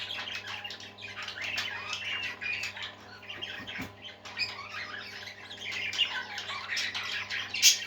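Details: Several happy parakeets, budgerigars kept indoors, chatter and warble continuously in a dense mix of squawky, buzzy notes and short chirps, with a louder squawk near the end over a low steady electrical hum.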